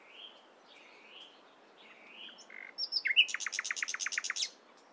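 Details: Nightingale in morning song: soft, wavering whistles at first, then a brief buzzy note, building into a rapid, loud series of about ten clipped repeated notes.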